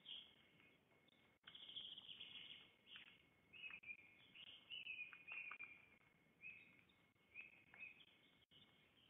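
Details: Young black storks at a nest, filmed by webcam on 15 July 2021 while practising flight exercises, give thin, wheezy squeaks in short bursts every second or two over a faint whine and soft patter.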